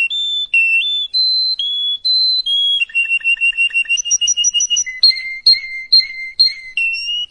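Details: Song used to tutor young canaries: clear whistled notes in stepped, repeated runs, shifting to a fast pulsing sequence and then to alternating high and low repeated syllables.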